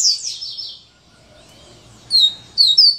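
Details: Coleiro, or Double-collared seedeater, with the "serra elétrica" song: an opening high buzzy trill, a quiet pause, then quick sharp descending whistled notes.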